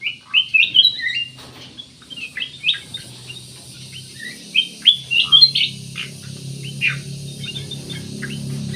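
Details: Black-naped oriole in lively song, meant as a lure to draw other birds into singing: scattered quick chirps and whistled flicks in bursts, then a low steady hum rising in the background.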